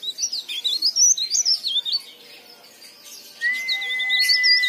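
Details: Leaf warbler in lively song, used as a lure to prompt other leaf warblers to sing: fast, high, tumbling warbled notes rising and falling for about two seconds, then a pause and a long flat whistled tone.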